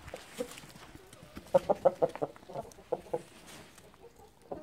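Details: Gold Brahma chicken. Short, sharp clucks come in an uneven burst of four or five, then scattered single clucks follow.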